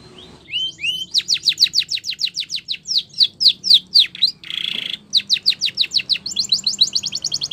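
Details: Training song of a Spanish Timbrado canary, rising whistled notes opening into long runs of fast falling strokes, a short buzzy burst midway, then more rapid repeated trills; faint low background hum.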